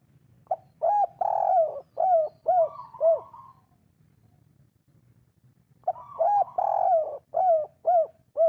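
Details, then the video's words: Spotted dove in breeding condition giving the three-note "kuk 3" cooing style, a natural local voice. It gives two phrases of mellow coos, each a rolling opening followed by several short hooting notes. The phrases are separated by about three seconds of near silence and a faint low hum. "suara derkuku kuk 3 gacor full birahi cocok untuk burung malas bunyi"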